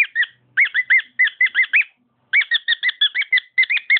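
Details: Pet cockatiel singing: rapid series of clear, whistled, arching notes, about four per second, with a brief pause midway before the phrase resumes. No other sounds.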